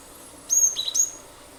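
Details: Gelatik batu (cinereous tit) singing steadily, used as a lure recording. A short phrase of three high, thin whistles, the middle one lower, in under a second against faint background hiss.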